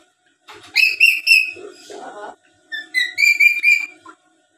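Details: Tame black-capped lory chattering as a lure for other lories: two runs of quick, pure whistled notes, the second rising in steps, with a short raspy buzz between them.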